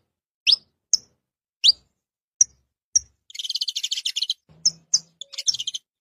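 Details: Saffron finches in the wild: sharp high chips and rising upswept notes spaced about half a second apart, then a fast buzzy trill lasting about a second, followed by more scattered chips.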